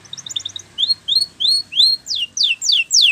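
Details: Spanish Timbrado canary training song: quick high chips, then four rising whistled slurs and four loud, steeply descending whistled sweeps at an even pace of about three per second.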